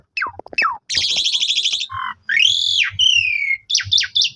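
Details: Asian pied starling song used to provoke other starlings: quick falling notes, a long buzzy trill, then drawn-out whistled slurs and closing chirps, with faint low tapping.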